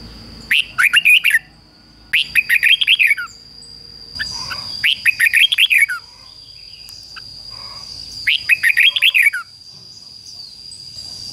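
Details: Decoy red-whiskered bulbul singing to provoke wild rival birds into approaching for a fight: four lively phrases of quick, slurred whistled notes, roughly every two to three seconds, with a constant thin high tone in the background.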